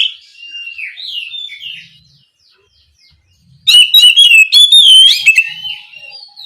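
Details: Oriental magpie-robin calling its companion: soft, distant wavering whistles at first, then a sudden loud burst of rich, fast, high whistled and trilled notes.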